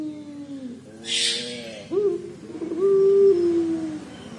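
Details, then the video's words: Collared dove (puter pelung) giving its 'crying' call: a low sustained coo that sags slightly, then a sharp upward stroke into a long, steady, drawn-out coo; a brief hissy burst near the start. "Suara Burung Puter Pelung Menangis"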